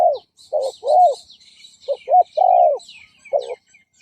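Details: Decoy spotted dove cooing to draw in and provoke rival males: mellow, low coos in uneven bursts, a long drawn coo in the middle, over faint scratchy twittering of other small birds.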